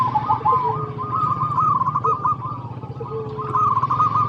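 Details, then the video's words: Local zebra dove song used to coax other doves to sing. Continuous rippling coos hold one pitch, joined by brief lower whistles, over persistent low motor hum. "PERKUTUT LOKAL GACOR PALING DISUKAI 🐦 Suara Asli Bikin Semua Perkutut Dimanapun Pasti Nyaut"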